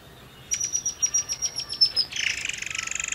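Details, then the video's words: Forktail song used to coax other birds into singing: a steady string of piercing, high whistled notes, slightly falling in pitch, running straight into a dry, rapid, buzzy trill. "PANCINGAN MURAI AIR MANCUR BAHAN"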